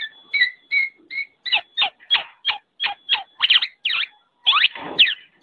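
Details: Black-naped oriole (kepodang) in a tutoring recording for songbirds: whistled notes, then a steady string of sharp falling chirps roughly every third of a second, and a thin constant tone in the background.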